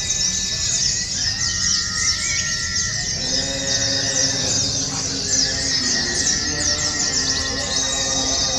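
Oriental white-eye giving long, rapid bursts of high, thin twittering song, with steady tonal music-like notes underneath throughout.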